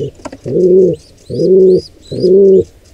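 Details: At a wild pigeon nest during an intruder pair's attack on a nestling, three steady, low, humming coos sound about once per second, with soft thin squeaks above them.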